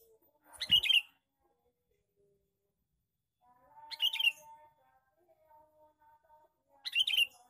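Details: Repeated lure call of a male sooty-headed bulbul: three short, cheerful bursts of squeaky, bubbling notes roughly every three seconds, with faint thin tones between them.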